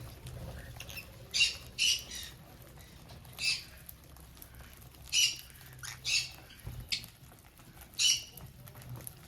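Budgerigars give short, harsh, scratchy chirps in repeated bursts, roughly every second or two.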